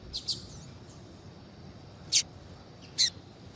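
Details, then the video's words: Female double-collared seedeater calling to prompt a male's song: a pair of quick high chirps, a pause of almost two seconds, then two more isolated sharp notes. "FÊMEA DE COLEIRO CHAMANDO PARA ESQUENTAR COLEIRO TUI TUI"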